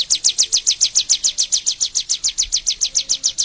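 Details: Bar-winged prinia (Prinia familiaris) in Indonesia gives a fast, steady string of high, down-slurred chirps, about five each second, with no other notable sounds.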